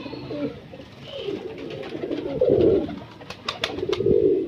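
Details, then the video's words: Low, warbling coos from a breeder pigeon. Two stronger swelling phrases come late, mixed with light clicks and shuffling. "Breeder Pigeon"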